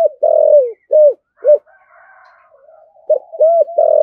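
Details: Spotted dove of the deep-voiced 'thổ sấm' type giving rapid 'thúc gù' cooing: short, arched, mellow coos in a quick run, a brief pause with soft murmuring, then more coos ending in a longer drawn-out note.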